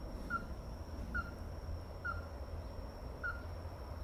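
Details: Ruddy-breasted crake calling: four brief, sharp, tapping notes spaced about a second apart, the gaps shortening slightly toward the end, against low-pitched background rumble.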